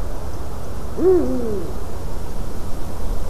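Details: Eurasian eagle-owl in a white-tailed eagle's nest, evening of 12 March 2019 at 18:26; one clear, husky call that climbs quickly then sags downward over half a second, against soft low noise.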